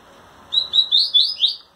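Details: A caged Double-collared seedeater sings for a female, trembling its wings; five evenly spaced, bright whistled notes, each a little longer and richer, form a brief one-second phrase.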